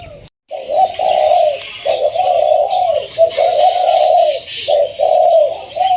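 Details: Spotted Dove, newly caught captive bird held one to two weeks, described as mid-to-large-voiced, cooing: a series of low hollow drawn-out coos in steady phrases, with background chatter and faint high noise.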